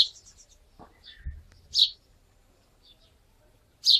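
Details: House sparrows in Wittlich, 2017: a few sharp, high chirps scattered across a quiet background, with a loud single chirp near the middle and another at the end, and a faint low rumble beneath.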